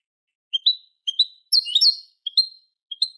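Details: Eurasian goldfinch from a "Manolo" Malaga-style tutor recording for training chicks and hybrids: upslurred two-part chirps repeated with brief gaps, and a louder tangled twitter in the middle. Background is silent.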